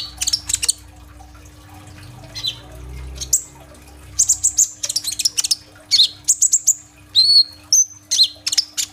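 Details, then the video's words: Gacor kolibri ninja sunbird, filled with rolling tembak bursts, played to lure young green-phase birds into singing. Recorded on a phone, it gives scattered sharp high chips, squeaky downslurred whistles and short trills, with faint rustling early on. "BURUNG KOLIBRI NINJA GACOR FULL TEMBAKAN ISIAN ROLL TEMBAK ! AMPUH BUAT PANCINGAN KONIN BAHAN IJOAN"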